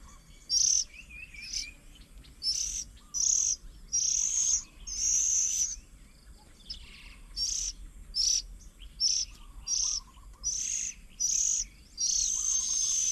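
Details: Oriental magpie-robins feeding their young at a bird table 10 km south of Chiang Mai city, Thailand, 8 June 2022; many short, high, buzzy notes repeat irregularly, sometimes in quick pairs, over quiet lower warbling notes.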